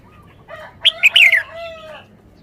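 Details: Red-whiskered bulbul in song-style display: one bubbly phrase of quick whistled notes ending in a falling trill, set over a soft, steady lower tone from another bird.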